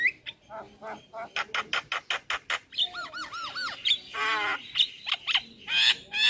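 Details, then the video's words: Male Javan myna calling to companions, used as a lure: a run of sharp clicking notes, then looping whistled arcs and a harsh rasping burst, with squeaky chatter at the end. "Burung Jalak Kebo Jantan Gacor Memanggil Teman Cocok Untuk pancingan jalak Pikatan"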